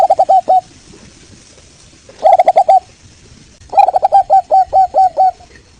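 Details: Local Indonesian zebra dove (Geopelia striata) song: three bursts of rapid, mellow, slightly rolling coos, the last a longer series of about nine notes, with faint rustling noise between.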